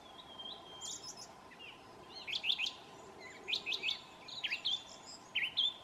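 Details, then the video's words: Thrush in New Zealand whistling its well known tune: faint high clear phrases, several short notes repeated two or three times in quick succession, over a steady low hum. "The Song of a Thrush"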